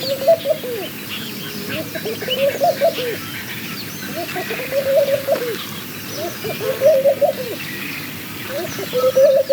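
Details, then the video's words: Laughing dove calling, giving soft, bubbling, rolling coo phrases at a low pitch. About five phrases come in 9.5 seconds, each rising and falling briefly. Faint higher chirps sound in the background. "Laughing Dove - Calls"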